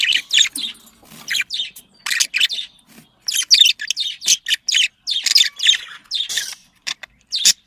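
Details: Budgerigar sounds played to stimulate breeding: rapid bursts of buzzy, harmonic chirps and squeaky warbles in quick uneven runs, with short silent gaps between phrases.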